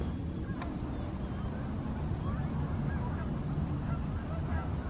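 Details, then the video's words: Evening flight of Canada geese, summer or fall 2020: several soft honks, brief arched nasal notes repeated at uneven intervals, some overlapping, with a heavy low background rumble and a single sharp click near the start. "Canada Geese flying and honking"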